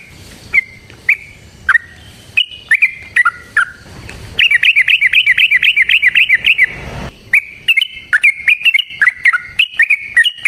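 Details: Yellow-vented bulbul giving a lure song meant to provoke fighting song: spaced falling whistled notes, then a sustained rapid rolling trill of about three seconds, then renewed quick chirps and warbles.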